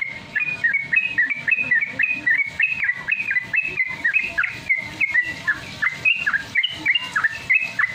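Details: Fast ropel song of a Sooty-headed Bulbul meant to coax caged birds into singing: dense repeated whistled notes, about three per second, alternating rising and falling slurs throughout.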